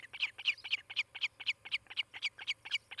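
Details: Osprey at its nest near Charlo, Montana, caught by a nest camera late morning on 18 July 2018: a fast run of shrill, whistled chirps, about thirteen in three seconds, evenly spaced, with a faint low hum underneath.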